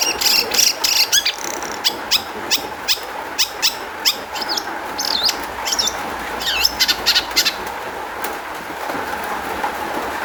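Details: Long-tailed shrike song used as a lure to make other shrikes sing: rapid harsh chattering notes and sharp high whistled sweeps, busy at first then sparser, over a steady low hum.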